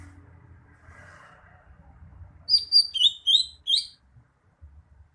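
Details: Greater green leafbird singing a burst of loud, clear whistled notes, each sliding and warbling, about six phrases in quick succession after a quiet start with faint low rumble.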